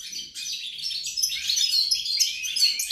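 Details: European goldfinch song from 28 November 2020, a rapid jumble of bright chirps, short whistles and scratchy twittering that runs without a break, briefly softer near the start and then louder.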